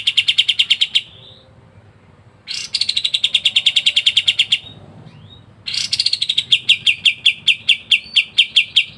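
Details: Pied triller, locally kapas tembak, delivering long buzzy rattles of fast repeated high notes, separated by short silences, the final rattle breaking into spaced chips; ngebren-style dense singing.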